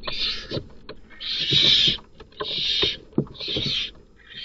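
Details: Night scene at a barn owl nest box as a strange male kills the offspring of another male. Four rasping hissed screeches, each about half a second, spaced by short gaps, over soft knocking and shuffling.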